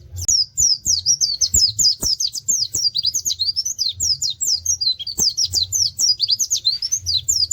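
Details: White-eye, known locally as pleci, in tembakan song with 'wit wit' canary-like phrases: fast, high-pitched chattering notes sliding up and down without pause, accompanied by scattered clicks and a soft low background drone.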